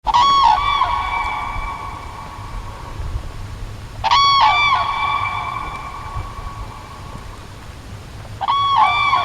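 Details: Crane in the wild giving three loud, harmonic trumpeting calls, each about a second long with a short upward inflection, spaced roughly four seconds apart over a low background rumble.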